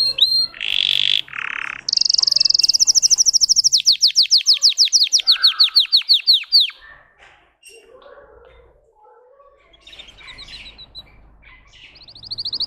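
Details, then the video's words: Russian singing canary giving two short buzzy bursts, a loud fast trill slowing into a run of descending whistles, then near silence with faint chirps before a closing high rattle. "Red trees Canary Singing"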